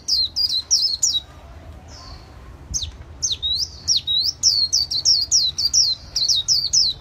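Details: Artisan's white-eye performing líu xòe song: a few quick high chirps, a short gap with a thin drawn-out note, then a lively, dense run of sharp descending notes.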